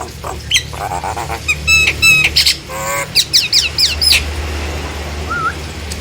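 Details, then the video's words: Nias hill myna singing, used to lure other hill mynas into singing: a varied string of loud whistles, sharp chips, squawky bursts and rasping rattles with short gaps, ending in a soft rising whistle, over a low hum. "JALAK NIAS GACOR ||Untuk memancing JALAK NIAS yang lain agar ikut bunyi!!"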